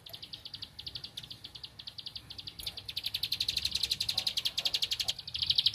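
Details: Bar-winged prinia, locally ciblek padi, singing while looking for a rival. A soft run of fast high ticks swells into a loud, dense, rattling trill through the second half.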